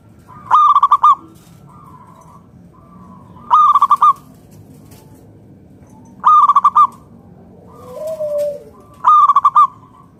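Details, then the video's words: Zebra dove, local wild strain, in loud song used to coax other doves to sing: four rapid, staccato coo phrases about every three seconds, separated by softer level coos and one lower, swelling coo from another bird. "PERKUTUT LOKAL GACOR SUARA PALING AMPUH UNTUK PANCINGAN BURUNG PERKUTUT AGAR NYAUT BUNYI GACOR"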